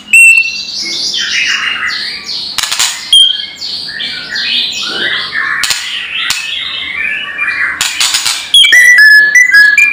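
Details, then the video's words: White-rumped shama calling to provoke rivals: dense, varied chattering and squawky phrases packed together, broken by sharp clicks, ending in a series of high whistled notes. "SUARA PANCINGAN KRETEKAN MURAI BATU KERAS BIKIN EMOSI SEHARIAN | RUMPED SHAMA"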